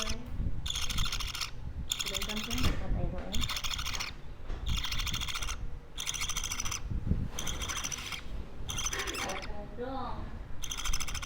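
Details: Two-week-old baby budgerigar kept as a pet, calling in a long series of harsh, raspy, hissing bursts about a second each, separated by short pauses, with low rumbling room noise underneath.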